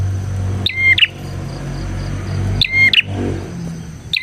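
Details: Bar-winged prinia singing, recorded as a lure for prinias; two ringing buzzy phrases with whistled notes, two seconds apart, over strong low-pitched hum or engine-like noise.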